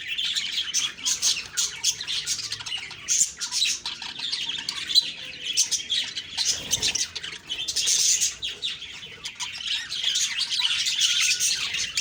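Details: Chirping budgies on an October 2, 2023 morning: a long stretch of overlapping high warbles, clicks and squeaky notes, loud and unbroken, with one dull bump partway through.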